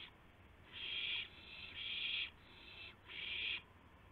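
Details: March 26, 2016, about 5:51 AM, owls with a gopher and a mouse brought as prey; three loud breathy hiss-screeches, each about half a second, spaced nearly a second apart after a quiet start.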